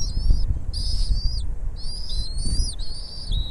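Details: At the nest a bald eagle mother feeds her chicks; rapid high whistled chirps run almost continuously in linked phrases, slightly descending at their ends, over low wind rumble.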